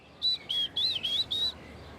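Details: Short-toed Treecreeper in a Parisian park calling back with a short song: five high, clear, thin whistled notes in quick succession, the middle ones slightly rising and falling, over quiet background.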